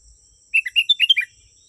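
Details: Sooty-headed bulbul song from a genuine recording used to draw wild birds near: a quick, bubbly phrase of about seven liquid whistled notes rising and falling, under a second long, over a continuous high insect hum.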